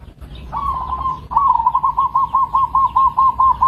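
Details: A local zebra dove gives a clear, loud cooing call: a smooth trill at first, then a run of distinct beaded notes, about three per second, all at one pitch.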